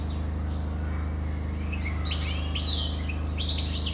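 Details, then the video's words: Lively goldfinch twitter building after a quiet start into dense, jingling chirps and quick rising and falling notes, over a persistent low-pitched hum. "Καρδερίνα,chardonneret,goldfinch the best"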